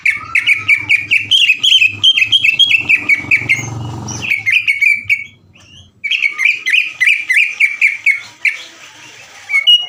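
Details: Greater green leafbird in full song, a long 'ngekek' chatter with rapid 'sewing-machine' bursts, used to stir other leafbirds into singing: fast strings of sharp, bright chirps and trills, a brief pause midway, then renewed rapid chattering over a low background hum.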